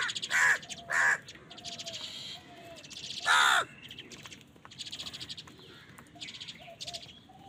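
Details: Loud crow caws during a fight over food. Two short, harsh, hoarse caws come close together, then one longer rasping caw. Faint chatter and scattered background calls fill the gaps.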